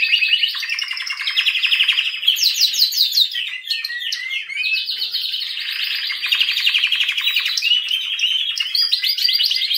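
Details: Canary pouring out a long, dense song of fast trills, chirps and rolling phrases at high pitch, almost without breaks.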